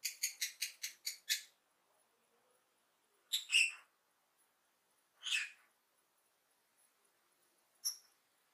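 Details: Lovebird chirping happily: a quick burst of six sharp, harsh chirps, then single rasping squawks spaced a few seconds apart, with quiet gaps between.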